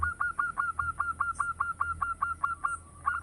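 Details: Local zebra dove singing loudly, used to lure other birds: a rapid string of clipped cooing notes, about five per second, evenly spaced with a brief pause near the end.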